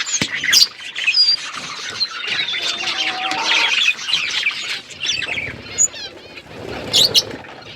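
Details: Flock of budgerigars in an outdoor aviary: a mixed high chatter of chirps and whistles with a few sharp clicks and louder squeaks near the start and end.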